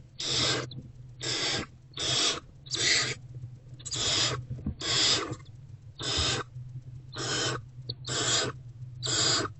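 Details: Hungry barn owlet in a nest box, eating a rodent on 29 February 2024 in the early afternoon; harsh, broadband rasping hisses repeat about once a second, ten in a row, over a steady low hum.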